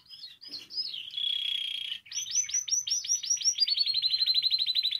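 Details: Spanish timbrado canary singing, recording meant for song training: quick warbled notes, a steady held whistle, then rapid looping rolls speeding into a fast even trill.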